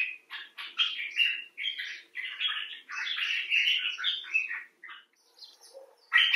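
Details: Rapid run of scratchy, twittering notes from a common bulbul, slowing into a few quieter calls before a final loud burst; among several birds, rescued or filmed outside.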